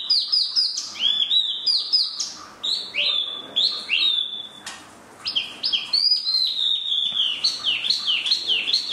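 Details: Spot-throated babbler song of rich, quick whistled phrases with downward-sliding notes, a short pause midway, then rapid chattering series of bright slurred notes.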